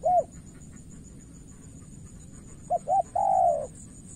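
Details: Spotted dove, Cà Mau, Vietnam, decoy and experienced rival: the tail of one coo, a pause of over two seconds, then a complete phrase of two brief coos and a long drawn coo.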